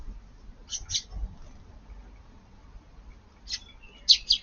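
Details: Eurasian tree sparrows feeding at a garden at midday on 20 June in light rain, giving short, high chirps in two brief pairs a couple of seconds apart over a faint low background hum.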